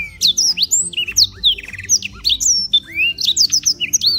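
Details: Black-throated canary in Beng, Gianyar, Bali, used to train other birds, sings a lively run of high whistles, swooping slurs and a short rattling trill.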